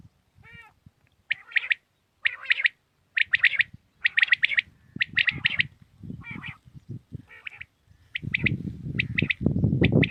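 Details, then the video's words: Common quail (batair) singing early morning in Pakistan: a run of sharp, buzzy notes in quick succession, while low rumbling noise builds up and grows loud toward the end. "Batair Ki naye Awazay| New Common Quail sounds| Batair Ki Awaz | Quail singing early morning in pak"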